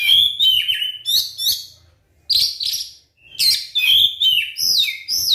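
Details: White-rumped shama song used to provoke other shamas into singing: rich bursts of whistled and chattering phrases around mid-high pitch, with a pause near the middle before loud varied notes resume.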